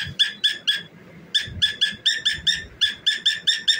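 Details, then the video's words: While dancing, a cockatiel sings rapid bursts of short, buzzy, ringing notes. A brief pause near the first second breaks the string before it runs on in an even beat, with soft low knocks underneath. "Cockatiel Singing and Dancing"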